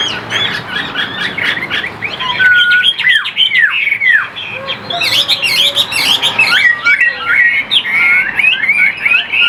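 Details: Captive Vietnamese Chinese hwamei sings energetically: a jumble of bright whistles, deep downward swoops, and clusters of fast repeated notes, with pure sustained whistles near the end.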